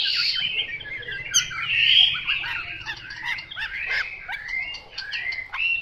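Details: Chinese hwamei in 'mộc dở' song: sliding whistles and rich mellow warbling mixed with short chips, flowing without pause across the whole clip.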